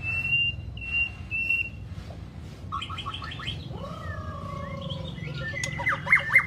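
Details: White-rumped shama in a recording made to push a long, fiery song: three level whistles at first, then pulsed chattering notes, two long smooth descending whistles, and a closing series of sharp downslurred notes.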